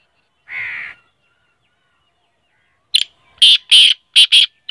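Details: Black francolin calling: a single harsh buzzy note, a two-second pause, then a rapid run of four loud, grating notes. No other sounds are heard.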